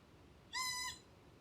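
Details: Ryukyu collared scops owl giving one of its two call types: a single short, even, nasal mewing wail, held flat for about half a second against faint background hiss.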